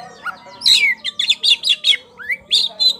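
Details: Kacer poci (oriental magpie-robin), a champion bird singing actively in ngeplong style as a lure for other birds: loud, high, rapid string of sharp chirps and short whistled notes, rising slurs and bursts repeated several times a second.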